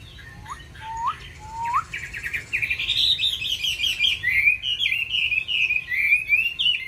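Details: Hwamei song rich in wild-type voices from a caged bird: three upward-swept whistles, then a rapid, continuous stream of bright, looping warbled notes at a higher pitch, delivered quickly and with energy.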